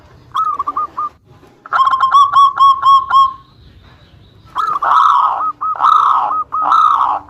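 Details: Zebra dove lure song, local bird in strong voice, meant to make rivals answer: clipped coos, a rapid rolling run of notes, then three long, loud, swelling coos.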